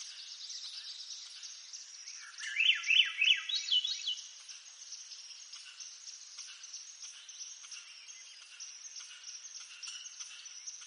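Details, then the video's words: Single upward-spiralling flute-like phrase of a Swainson's thrush in eastern North America, a few quick looping notes climbing in pitch. After it comes a long stretch of only the steady high chirping chorus, repeating roughly three times a second. "Swainson's Thrush Bird Sound"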